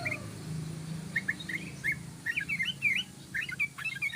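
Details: Yellow-vented bulbul in long 'ropel' rapid-fire song used as a lure: short, bright chirping notes in quick irregular clusters, sparse at first and then denser, over low background hum.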